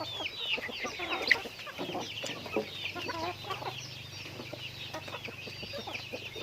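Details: Chickens going about their daily activity, giving low, short clucks in brief bursts beneath a dense layer of high, thin twittering chirps that runs throughout, with a faint steady low hum.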